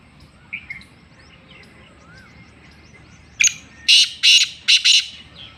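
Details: Black francolin in Sindh, Pakistan. After soft chirping from smaller birds, a sharp opening note is followed by four harsh, scratchy notes in a quick uneven series, loud and clear over quiet background.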